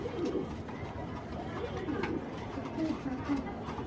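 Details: Fancy pigeons kept at a farm give low, soft cooing phrases that rise and fall, several overlapping through the clip, with a murmur of voices and indoor room noise beneath.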